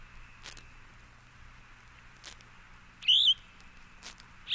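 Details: Yellow-throated Vireo (Vireo flavifrons) song: a short, slurred phrase after a pause, with a second phrase beginning at the end, over faint clicks and a low hum.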